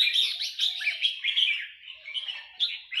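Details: Red-whiskered bulbul of Burmese stock singing in the nap dok style, where phrases are counted: a dense run of bright chirping and warbled notes, with brief sharp accents near the start and end.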